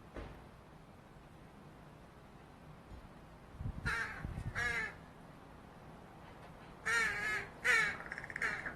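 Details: Loud, close begging by a fledgling Northwestern crow asking for food: a pair of strained, wavering caws, then a second louder pair after a pause, with low thumping sounds just before the first calls.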